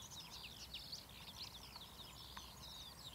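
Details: Marsh warbler recorded at Academy Pools, Cleadon, 6 June 2008, pouring out a dense, continuous jumble of high chirps, trills and buzzy notes over a constant low hum.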